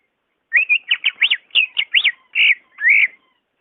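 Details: A greater green leafbird pours out quick, ringing notes, sound meant to prompt a quiet caged bird: rapid up-and-down whistled chirps in a tight run, ending with two longer, smoother rising whistles.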